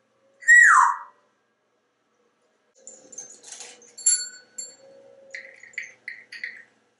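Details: Male pet African grey parrot hatched in 1997, kept in a home office in Texas, opens with a loud, sliding downward whistle, then pauses and makes soft, speech-like mumbles and short clicks.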